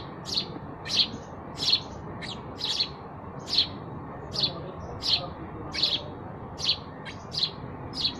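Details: Chirping sparrow, sharp high chips spaced roughly every two-thirds of a second, a few paired or doubled, against faint low rumble.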